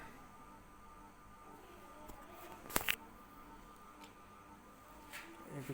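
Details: Quiet indoor room tone with faint hiss, a sharp click near the middle and a few soft knocks; no animal calls are heard.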